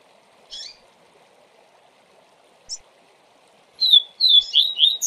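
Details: Double-collared seedeater in 'tui tui zel zel' teaching song: two isolated high chirps spaced apart, then a rapid burst of descending whistled notes at the end, over a faint constant hum.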